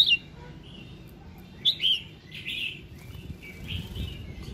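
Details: Red-whiskered bulbul singing at dawn to prompt other birds: a loud opening whistle, then a quick two-note warble, followed by softer slurred notes trailing off against steady background noise.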